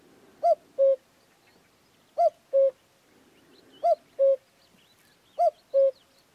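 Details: Common cuckoo singing in the wild in Extremadura, giving its hollow, falling two-note "cu-coo" four times, about every one and a half seconds, with faint chirps of other birds behind.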